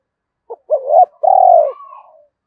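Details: Spotted dove (cu gáy) from Đồng Nai, Vietnam, calling to lure and stimulate other doves: a brief soft note, then a rising-falling coo and a long, steady, drawn-out coo that trails off into a faint lower tail.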